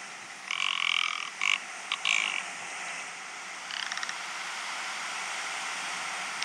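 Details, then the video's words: Rock ptarmigan giving its courtship call in the fells; dry stuttering croaks in several short bursts, followed by a quieter ticking rattle, over steady wind noise. "Rock Ptarmigan Call"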